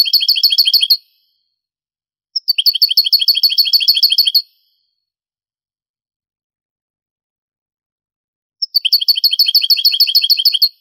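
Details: European goldfinch performing Granada-style song, from a vintage Spanish cassette converted to CD: three bursts of fast, tinkling repeated notes, each about two seconds long and opened by a short high note, separated by silences.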